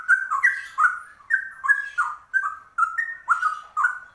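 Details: Rare yellow-vented bulbul delivering its ropel song like a cucak rowo: rolling, gurgling paired notes, some rising, some dropping, in quick bursts of two or three, with soft high clicks.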